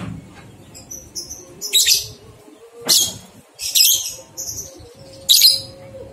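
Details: Lovebird singing ngekek, recorded as a model to prompt two-month-old young lovebirds to join in: irregular shrill, grating chatters and thin high whistled notes, with a faint low hum underneath.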